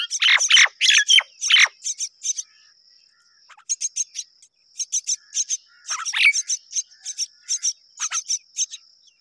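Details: A myna pair caring for babies together. Loud harsh chirping bursts open, then a short quiet spell, followed by quicker, softer chirp series with occasional raspy notes, all over a continuous high whine.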